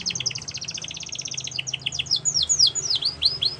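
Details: Singing canary delivering a fast high trill of paired notes that shifts into looping downward-then-upward whistled sweeps, over a faint low hum.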